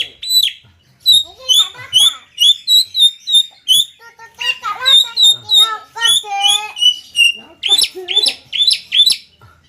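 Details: Javan myna singing in the vigorous 'konslet gacor' style: a run of short, bright, harmonic notes repeated almost every half second, some chattering and speech-like, with no other clear sounds.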